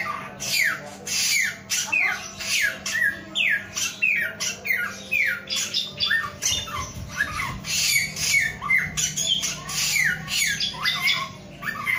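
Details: A male Black-naped oriole (Oriolus chinensis) sings a fast run of harsh, nasal, down-slurred notes, several each second, over a low steady hum.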